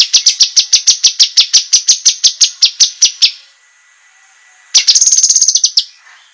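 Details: Master song of a cucak kinoi, sharp and meant for competition birds: a long steady series of shrill high chips, a pause, then a fast buzzy trill.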